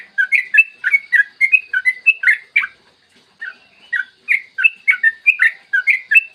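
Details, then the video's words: Lure recording of a yellow-vented bulbul's long-trill song, captured in the morning to set other bulbuls singing. A fast string of liquid, slurred whistles, then a brief pause, then another tight run of bubbling notes. "Masteran trucukan gacor ropel panjang cocok buat pancingan trucukan agar cepat bunyi dan ropel"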